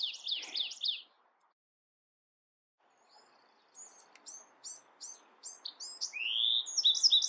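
Bewick's wren singing: a quick buzzy burst, a pause, then a run of sharp, high downslurred notes, a rising whistle and a fast closing trill.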